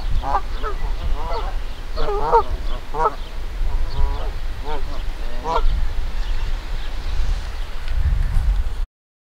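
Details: Canada geese in Victoria Park, Kitchener, Ontario, hostile toward a person: a steady series of short, wavering honks about every half second, over strong low-frequency rumble, ending abruptly.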